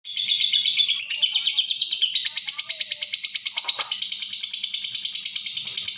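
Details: Lovebird giving a long ngekek, chattering without pause and suited as a tutor recording for other birds: dense, rapid, high-pitched trilled chatter that runs unbroken throughout, with quick rhythmic pulses and shifting buzzy phrases.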